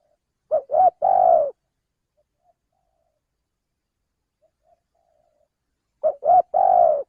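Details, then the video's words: Spotted dove, a male, calling as a trapping lure; two phrases about five seconds apart, each two short hollow coos leading into a long, slightly falling coo over silence. "suara pencingan burung tekukur"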